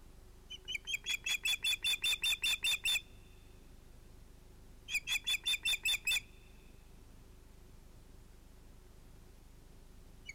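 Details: Osprey at a nest with two ringed chicks, evening fish delivery at sunset, 11 August 2018: a run of about ten fast shrill whistles, a pause, then seven more, followed by quiet background hiss.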